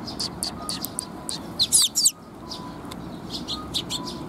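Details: Eurasian tree sparrows coming to be fed at a bridge in Japan, 19 June 2021: scattered high chirps, then a loud burst of sharp, excited twittering, followed by softer chirps, with faint steady tones in the background.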